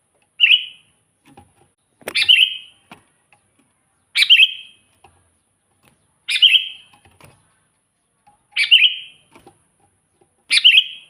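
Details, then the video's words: Sooty-headed bulbul, used for luring wild bulbuls and training birds that rarely sing: six short bubbly whistled phrases repeated roughly every two seconds, with faint ticks between them. "suara burung kutilang gacor full buat pancingan kutilang pikat"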